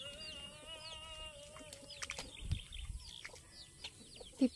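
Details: A white domestic goose gives a long, steady, nasal honk lasting under two seconds, followed by shorter higher calls and chirps from other fowl, with some knocking noises.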